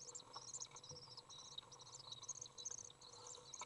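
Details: Common Swift young fed by a parent inside a nest box, recorded June 18th 2011; continuous high-pitched, rapid chittering and thin squeaky notes without pause, over a low background hum.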